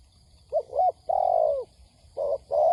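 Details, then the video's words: Spotted dove used as a trapping lure: irregular low coos, a short wavering note, one long drawn-out falling coo, then two flatter muffled notes. "Tiếng Chim Cu Gáy kích bổi nhanh nổi"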